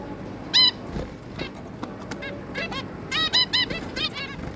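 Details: Zebra finches, a pair with their three juveniles, recorded 11 May 2022: short nasal, harmonic-rich honking calls, one loud call early, then a quick cluster of calls near the end, with soft background hiss.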